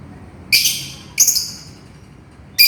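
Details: A lovebird calling its companion, giving loud, rasping, high-pitched shrieks roughly every half second to a second, each with a harsh buzzy texture.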